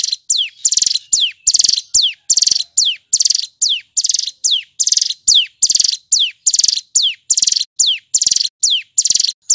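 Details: A male hill prinia sings loudly and clearly at length, rapid and full in ngebren style, with about a dozen cycles of a descending whistle then a chattering pulsed buzz, evenly repeated with no background noise.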